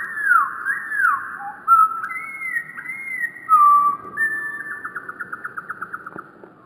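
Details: Wren song slowed down to a deep pitch: curving whistled swoops and sustained notes, then a fast, evenly pulsed trill of about a dozen notes fading away at the end.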